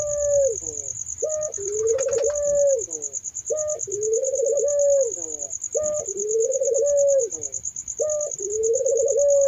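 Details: Barbary dove cooing regularly, a short note then a long mellow purring coo about every two seconds, with low rumbling background noise, a steady high whine and a brief burst of chirping.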